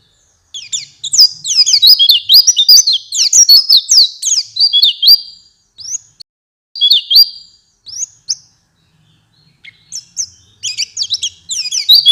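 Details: Oriental white-eye song played to encourage caged birds to sing: bursts of rapid, high twittering and chirps, separated by short pauses, resuming into lively warbling toward the end.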